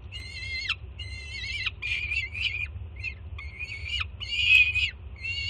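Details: Excited juvenile peregrine falcon begging from its mother at a Jersey City nest during a June 2017 morning feeding; loud grating screams, some rougher and broken, repeated with little pause over a faint low hum.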